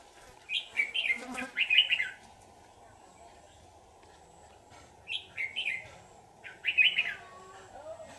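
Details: Trapped red-whiskered bulbul, since released, sings loud bubbly warbled phrases in bursts: a cluster of three around the first two seconds, then two more after a three-second pause, over a faint hum.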